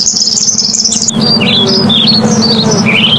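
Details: Purple sunbird giving lively song. A high, fast, shimmering trill gives way to a string of brisk, clipped chirps that jump up and down in pitch, about four notes a second. A low hum sounds throughout.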